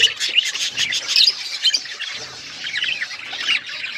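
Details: Pet budgies chirping, a fast scatter of bright tweets and squeaks, busier at first and then softer, chattering warbles.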